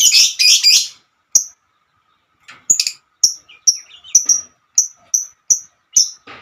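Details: Female lovebird calling to companions: a short harsh buzzy burst, a pause, then a series of clear high chirps at roughly two per second, slightly irregular, with a faint hum in the background.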